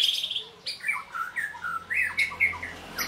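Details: A white-rumped shama in a training and sparring session gives short, clear whistled notes and slurred phrases in a quick, varied sequence above a faint low background hum.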